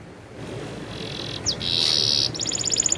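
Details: Canary giving a vigorous rolling song: a faint start, then a high sustained trill and a sweeping note, ending in fast, evenly pulsed rolls, over low background hum.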